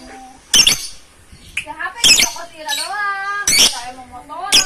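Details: A loud flock of lovebirds, captured with a phone camera, giving harsh, rasping squawks every second or so, with wavering tonal sounds, possibly a human voice, in between.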